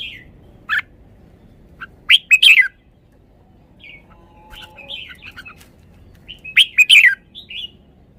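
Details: Red-whiskered bulbul in a cage showing its song phrases: scattered sharp notes, two loud clusters of bright fluty whistles, and soft chattering warbles in between.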